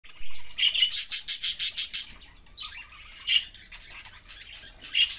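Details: Budgerigars chirping: a quick run of bright, evenly spaced high chirps, about eight in under two seconds, followed by looser, scattered chatter and a few sharper notes.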